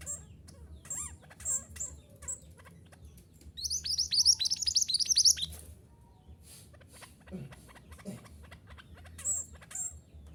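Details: Mantenan gunung song meant as training material for caged birds: scattered high squeaks and whistles lead into a dense two-second burst of rapid, high descending chips, then softer chatter and clicks.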